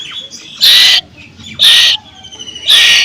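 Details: A hungry young captive Asian koel, which its owner guesses is male, screeches from its cage on seeing its owner at feeding time. It gives three harsh, raspy, high begging screeches, each about a third of a second long and roughly one second apart.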